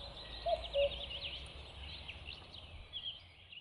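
A common cuckoo gives one soft, hollow two-note 'cu-coo', the second note slightly lower, over a busy chorus of high chirping songbirds.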